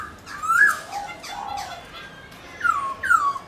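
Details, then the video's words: White-browed laughingthrush singing loud, slurred whistles, falling and rising, in bursts of two or three phrases with short pauses between. "khướu múa hót bạc má khướu mun"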